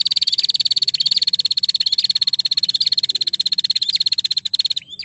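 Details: Vigorous female prinia call, which a rival reportedly answers immediately: an unbroken stream of quick, sharp, high-pitched ticks, about three or four each second, fading slightly at the close.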